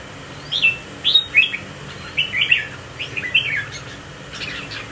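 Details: A Red-whiskered Bulbul of the spiky-crest type, caged and displaying with a swaying motion in a competition group. It delivers around six crisp, chirpy whistled phrases, each with a quick downward slur, at steady intervals.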